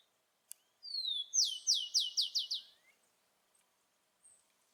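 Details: Rufous-collared sparrow singing in the wild, outdoors in nature: one drawn-out falling whistle leading into a run of five bright, descending slurred notes, closing with a faint soft rising note.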